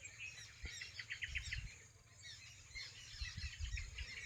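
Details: Evening chirping of birds roosting and playing in thick trees along a field boundary on a farm; quick clustered high chirps in two bursts, with low rumbling noise underneath.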